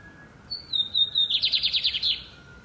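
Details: A lined seedeater sings loud and deep: a high whistle sliding slightly downward, then a strong buzzy trill of about a dozen quick pulses, with a faint steady hum underneath.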